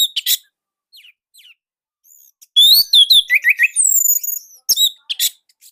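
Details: Orange-headed thrush in Indonesia, a training recording: short isolated notes, then a loud, varied burst of high sliding whistles and quick trilled notes.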